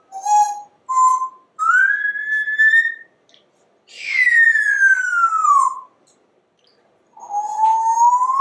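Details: Male African Grey Parrot, a talking pet bird indoors; clear whistled notes, two short level tones, then a longer rising whistle and a long slowly falling whistle, ending with a gently rising one.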